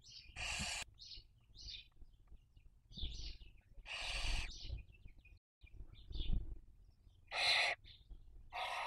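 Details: Barn owl at a webcam nest in Cabañeros National Park, Spain, during the 2023 breeding season, giving harsh, hissing half-second screeches, four in nine seconds, with faint high chirps between and low rumbling wind noise.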